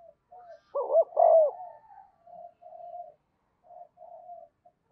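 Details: Caged decoy spotted dove calling wild doves: a strong wavering double coo followed by several softer, drawn-out, low hooting notes trailing off, with a louder note starting at the very end.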